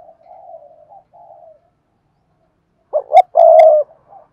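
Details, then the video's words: Spotted dove singing in the Vietnamese song style called Cườm Sa. Soft, low, muffled coos come first, then a gap, then a burst of loud, deep, throaty cooing notes. "tiếng chim cu gáy bài bản Cườm Sa"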